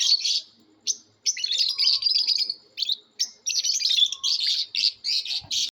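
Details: Competing lovebirds giving natural calls: nearly continuous shrill, scratchy chattering made of rapid chirp bursts with only brief breaks, and a faint low thump near the end.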